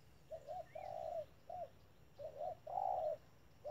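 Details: Decoy spotted dove at a bird trap giving soft cooing phrases, brief bent notes followed by a drawn-out flat coo, two phrases in under four seconds, low background hum throughout.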